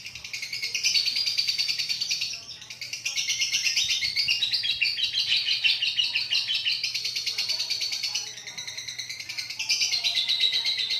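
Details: Long ngekek trill from a lovebird, a dense, rapid, buzzy rattle sustained across the whole stretch, dipping briefly around two and eight seconds before resuming, with faint lower chirps beneath.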